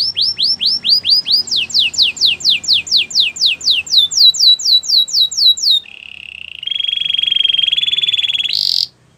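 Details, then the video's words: Steady canary training song of about twenty evenly repeated descending whistled notes, switching to a low buzzy trill and then a higher, fast pulsing roll that ends abruptly. "Melodies canary bird song"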